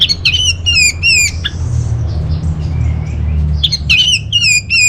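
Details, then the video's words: Orange-headed thrush song used as a lure and master song for caged birds, from northern Bali: loud descending whistled phrases rich in overtones, given in two bursts around a quieter gap, over a steady low hum. "Bikin Geger ANIS MERAH Dirumah Pasti Gacor || Pancingan sekaligus Masteran Burung Punglor"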